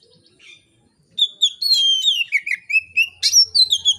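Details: Oriental magpie-robin in relaxed, loud song, suited to getting other magpie-robins singing: after a faint note, a continuous run of pure whistles, long held tones falling stepwise, and quick chirpy flourishes.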